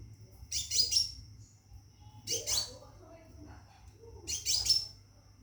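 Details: Scarlet minivet in a cage giving mating calls to a female. Three quick clusters of high, sharp chirps arrive at intervals of nearly two seconds, with faint lower murmurs and a steady high background tone.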